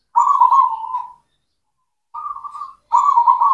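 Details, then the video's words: Local zebra dove of the cemani type, used as a lure to get silent doves singing: low, fluttering, trilled coos, one long and two shorter phrases separated by silence. "PANCINGAN PERKUTUT LOKAL, PERKUTUT CEMANI GACOR"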